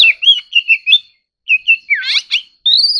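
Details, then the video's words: Oriental magpie-robin in competitive singing: clear whistled phrases, some slurred up and down, in short bursts separated by a brief pause, ending on a rising high whistle. "choè than kích hót || choè than hót đấu"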